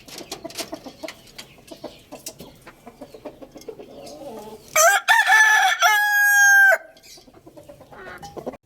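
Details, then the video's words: Rooster crowing loudly: after soft clucks and chirps from other birds, a two-second harsh, harmonic cock-a-doodle-doo rises, holds on a steady strained note, then cuts off abruptly, followed by more quiet clucking. "Adorable Rooster Crowing Loudly"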